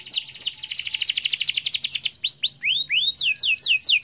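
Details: Gacor canary song: a fast, rolling, rattling trill of high notes gives way to slower, looping down-slurred whistles, each sharp and bright, repeated in quick succession.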